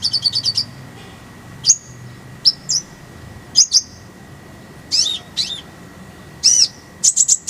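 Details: Konin (kolibri ninja) song for training other birds: a fast burst of tiny chirps, then varied high whistles, rising slurs and harsher buzzy notes spread across the phrase; faint hum underneath.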